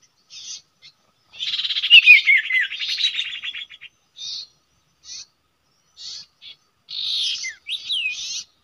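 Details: At a usual nesting site, a common iora gives scattered short buzzy notes around a long rattling chatter with descending whistled slurs. A closing burst ends in a rising whistle.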